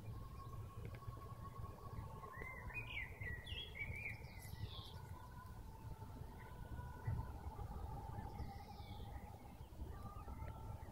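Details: Common starling singing while bees pollinate a flowering acacia in bloom; short whistled and chattering phrases burst out around two to five seconds, with a softer whistled phrase near nine seconds, over a steady low rumble and a constant tonal hum.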